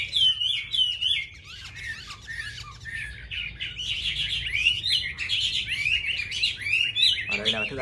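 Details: Chinese hwamei kept in a cage pours out fluid whistled phrases, a varied warble broken by a brief lull near the start, then a sustained rich outpouring; a harsher burst closes the passage.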